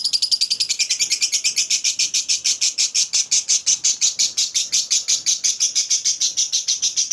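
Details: Lovebird in a long, clear ngekek chatter meant to prompt other lovebirds into long chattering: a steady stream of harsh high pulses, evenly repeated through the whole stretch without a break.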